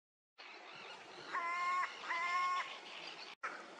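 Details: Crow with an unusual voice, perched, recorded on 25 June 2022: after a short silence come two long, even, nasal notes of about half a second each, separated by a brief gap, over steady background hiss.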